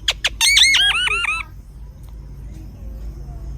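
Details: Parrot in a south Indian zoo giving two sharp clicks and then a rapid run of harsh, arching squawks, about eight in a row, before fading into background noise.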